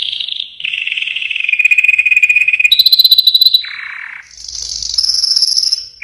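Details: Yellow canary song: a low rolling trill, a climbing sharper rattle, a short lower buzz, then a long high shimmering trill, all in rapid unbroken sequence.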